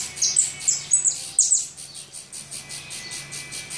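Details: Saffron finch chicks fed in the nest, a quick flurry of loud, sharp squeaking notes at first, then softer rhythmic rasping begging chirps repeated rapidly, with a low steady hum underneath.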